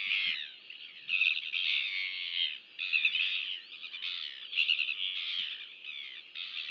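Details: During a chick feeding at a Royal albatross nest in New Zealand, a nest camera captures loud, reedy, harmonic calls on 23 January 2023. They come in separate phrases of about one second, with brief pauses between them.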